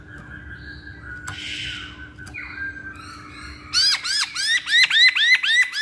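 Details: Masked laughingthrush used as a singing lure for other birds: soft whistles and a harsh rasp at first, then a fast loud series of repeated rising-falling whistled notes, about four per second; faint hum behind.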